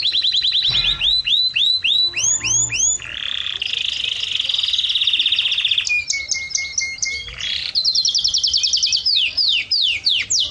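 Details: Canary in Jordan singing in a mating context: rapid high-pitched rising notes repeated, then swooping down-slurred phrases, a long buzzy sustained roll, a steady lower whistled note, and fast descending trills, all loud and continuous.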